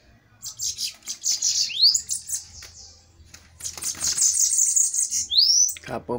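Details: Bananaquits fighting in a duel: bursts of high, rapid, buzzy trilling with upslurred whistles between them, plus a low clicking noise near the end.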